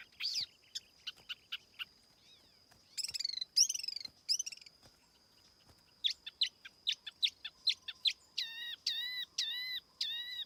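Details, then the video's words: Tiểu mi laughingthrush lure song with no background noise: scattered sharp chips and short bursts, then a quick run of clipped notes and a steady series of ringing, arched whistles at the end. "TIẾNG CHIM TIỂU MI MỒI KHÔNG TẠP ÂM CỰC CHUẨN"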